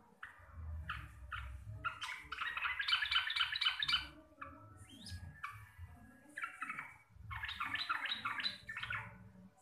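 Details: Local Javanese sooty-headed bulbul delivering ropel song, loud and clear with a bassy tone: dense runs of rapid chattering notes, about four a second, in bursts with short pauses, over a steady low background hum.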